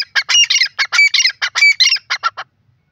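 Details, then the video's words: Grey francolin, the gora teetar, giving a rapid burst of loud, grating, ringing notes that stop abruptly after about two and a half seconds, followed by silence. "teeter ki boli grey partridge awaz teetar voice gora teetar"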